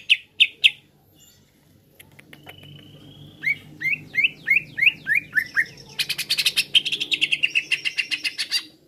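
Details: Greater green leafbird song used as a lure to agitate birds: a few sharp chirps, a thin whistle, then a run of looping down-slurred notes breaking into a fast, dense buzzy trill.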